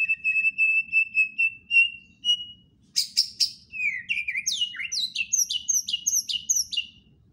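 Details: White-rumped shama song opening with a long row of steady, even whistled notes repeated about four times a second, then breaking into rapid, varied high chattering phrases of sweeping slurs and trills, delivered loudly over faint low hum.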